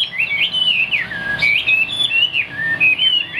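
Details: Caged hwamei from Vietnam with a fig-leaf tail, known for its high song, whistling fluid swooping phrases that dip and climb, with brief pauses between loud, pure notes.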